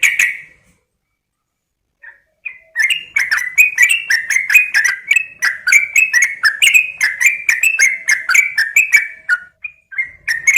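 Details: Female sooty-headed bulbul calling to a male; after a brief opening burst and a pause comes a lively, fast series of bubbly chirps, rising and falling, repeated nearly four times a second for about seven seconds.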